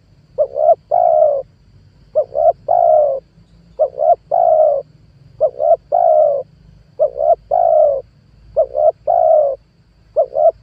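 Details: Lure call of a spotted dove for attracting wild doves: a long regular series of seven phrases, each two quick coos leading into a drawn, mellow coo, repeated about every 1.6 seconds over soft low background noise.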